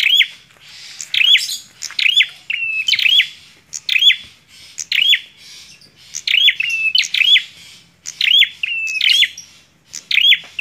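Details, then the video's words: Bar-winged prinia singing vigorously: repeated hooked chirps about every second, grouped in twos and threes, sometimes run together with a short flat trill. "PRENJAK KLAWU GACORR"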